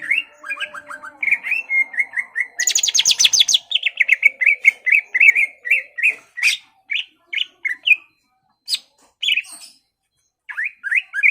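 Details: Greater green leafbird in full song to stir a rival's aggression: rapid rolling whistled notes, a dense high trill, then spaced sharp chirps and short slurred whistles with gaps of silence.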